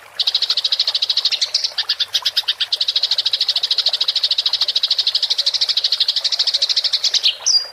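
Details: Clear recording of a fighting house sparrow's rolling chatter, meant for training songbirds: an unbroken rapid stream of bright, high chirps for about seven seconds, ending with a short thin whistle.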